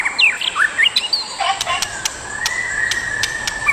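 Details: Wild pair of adult white-rumped shamas: a quick flurry of slurred whistles and chirps, then a long even whistled tone with sharp clicks, insects droning throughout.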